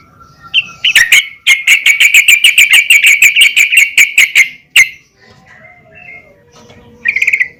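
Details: Female yellow-vented bulbul calling other bulbuls with a fast, even string of sharp chirps for about three seconds. A pause with faint sounds follows, then one more brief chirp burst at the end.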